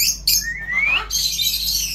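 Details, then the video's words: Indian ringneck parrot, a talking pet bird, producing a smooth whistled note that slides steadily upward, framed by rough hissy chatter before and after. "অসাধারণ কথা বলে চন্দনা টিয়া"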